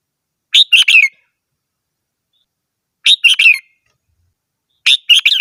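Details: Red-whiskered bulbul song: three lively phrases about every two and a half seconds, each a quick cluster of three or four chirpy, warbled notes, clear and loud over silence.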